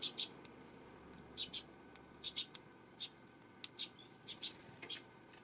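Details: Eurasian tree sparrow on 12 September: brief, high chips, often in quick pairs, spaced roughly half a second to a second apart over a low background murmur.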